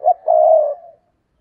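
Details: Decoy spotted dove giving a single drawn-out coo to lure wild doves: a short low note followed by a long, steady, hoarse coo that fades away.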